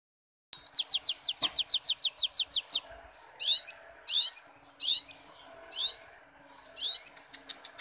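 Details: Little spiderhunter singing steadily, recorded as training song for other birds: a quick run of about fifteen sharp high chips, then five well-spaced buzzy, rising high-pitched phrases, each roughly a second apart.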